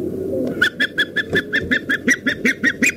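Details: Female osprey at a Dyfi valley nest in Wales giving a rapid, regular series of about fifteen short, clipped, whistled notes, steady in pitch, over a low background hum.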